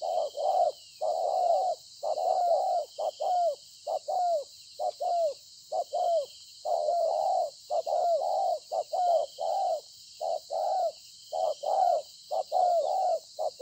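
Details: Wild field-caught spotted dove cooing strongly on 26 September 2020: a long run of low mellow coo pairs, short then longer and slightly falling, packed closely together, with a continuous high insect drone in the background.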